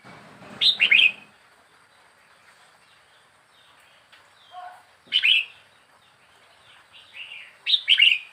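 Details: Caged four weeks, a young wild red-whiskered bulbul repeats a short, bright, bubbling three-note phrase about every three and a half seconds, with soft background chirps between.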